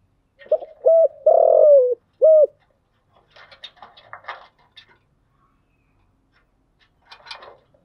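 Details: A decoy spotted dove's lure cooing: one phrase of two brief hollow coos, a drawn-out descending coo and a final short coo, followed by faint scattered clicking and rustling.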